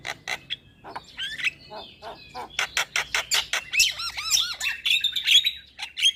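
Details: Starlings, played to coax silent caged starlings into song: rapid harsh squawks repeating in a steady stream, joined by looping whistled arcs and bright high trills toward the end.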